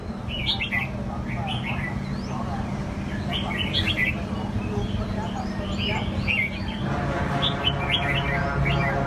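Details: Kept red-whiskered bulbuls, fighting birds, sing short bright warbled phrases that bounce and twist, repeated in bursts, over a steady low hum and a man talking in the background.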